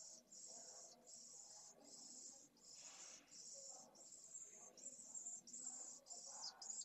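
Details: Pallid swift young calling for food inside a nest watched by a live camera, Jerez de la Frontera, 8 September 2022: high wheezy buzz in regular short bursts, one louder rustle midway, soft low movement noises.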